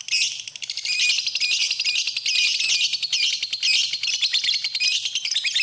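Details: Masteran recording of a lovebird singing: a quieter opening, then sustained fast, shrill chatter with tinkling, buzzy trills.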